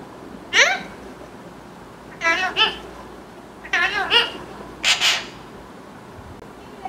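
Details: Tame green parrot gives four loud bursts: a single rising note, then paired and tripled wavering harmonic calls, ending with a noisy squawk, indoors.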